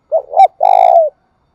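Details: Thúc bổi and gáy gọi cooing of a spotted dove: a quick pair of hollow notes, the second louder, then one sustained throaty coo ending in a downward slide. Nothing else is heard.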